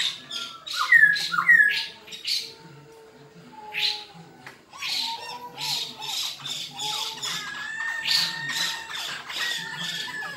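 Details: Black-throated laughingthrush in fighting song. Two sharp loud slurred phrases, then quieter drawn-out lower whistles and a steady run of short harsh notes with brighter whistled strokes.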